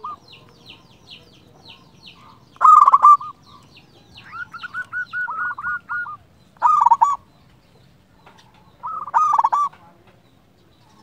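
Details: Lure song of a local zebra dove, meant to excite silent zebra doves: soft clipped coo series alternating with loud staccato rolling phrases, repeated irregularly every two to four seconds.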